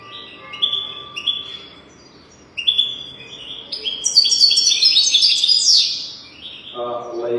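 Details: European goldfinch singing, recorded to teach young goldfinches their song: scattered clear whistled notes build into a long, rapid, jangling twitter of high tinkling trills, with a low voice briefly near the end.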